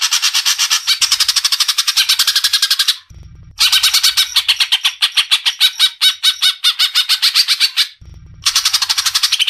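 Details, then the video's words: Greater green leafbird from Indonesia singing loud gacor song: long bursts of rapid, harsh, buzzy repeated notes broken by two short pauses, the chatter speeding and slowing throughout. "MASTERAN BURUNG CUCAK IJO GACOR"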